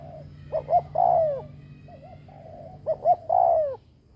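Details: Decoy spotted dove cooing to draw in wild birds: two phrases about two and a half seconds apart, each a pair of brief hooting notes then a drawn-out falling coo, with a soft murmured coo in the gap.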